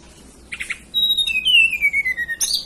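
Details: Hill blue flycatcher, a local bird native to the mountains of Banten and West Java, sings a pure whistled phrase. A brief chirp is followed by a high steady note, then a long sweet whistle that slides gradually downward.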